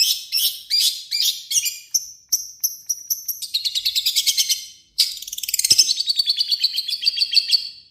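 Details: Long-tailed shrike belting out harsh material as a lure for other shrikes: rasping notes repeated, then an accelerating stuttered series and a long fast buzzy trill that slowly drops.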